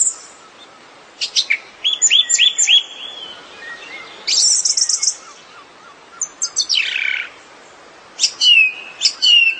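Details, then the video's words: A song thrush sings bright, varied phrases, some repeated several times in quick succession, mixing high whistles and sharp notes with short pauses between, against a quiet background. "Song Thrush Bird Call BIRDSONG"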